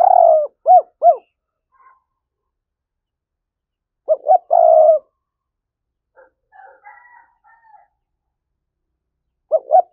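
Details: Spotted dove from Đồng Nai, calling as a lure to draw wild doves in: low rounded cooing phrases of two or three hoots, repeated about every four seconds, with faint softer notes in between.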